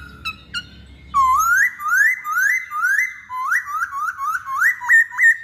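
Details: Masked laughingthrush lure song: two short chips, then a run of loud, clear whistles rising in pitch, repeated about three times a second toward the end.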